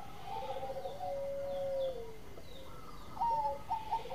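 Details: Zebra doves overlap: a long steady lower coo fades away, then a bright quick series of short clipped notes begins near the end.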